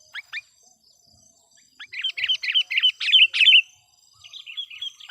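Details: Decoy sooty-headed bulbul luring wild bulbuls: a couple of thin notes, then a long rapid stream of bubbly warbled chirps that swells louder before fading.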